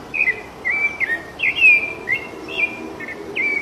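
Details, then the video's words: Wild rufous-bellied thrush, the bird symbol of São Paulo state, singing loose in nature: fluting whistled notes in quick succession, some rising and some falling, with brief warbled turns between phrases. "SABIÁ LARANJEIRA CANTANDO MUITO SOLTA NA NATUREZA LINDO CANTO DA SABIÁ LARANJEIRA"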